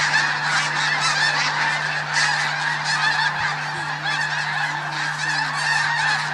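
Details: A huge flock of snow geese calling at once during a mass morning take-off at Bosque del Apache, a dense, continuous roar of high, nasal honks and yelps with no break, under a steady low hum.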